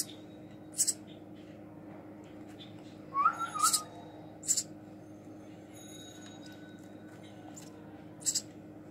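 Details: Hand-fed baby house sparrow: sharp, hissy high chirps in brief bursts, with a person's short warbled whistle partway through, indoors with a faint hum.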